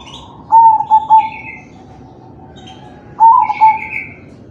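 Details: Zebra dove of crossbred stock singing its manggung coo, meant to prompt other doves to answer; two phrases of a few quick stuttering notes sliding into a drawn-out level coo, with brief high chirps from other birds.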